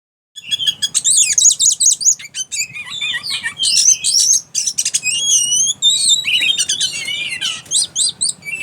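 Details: Caged Oriental magpie-robin making strange, erratic sounds just after its cover is removed: a rapid jumble of high whistled notes, sharp chirps and buzzy trills, sweeping up and down with scarcely a pause.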